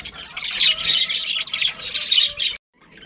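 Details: Budgerigars from a breeding colony chirping rapidly, scratchy high notes tumbling over each other in a fast, unbroken chatter before cutting off abruptly.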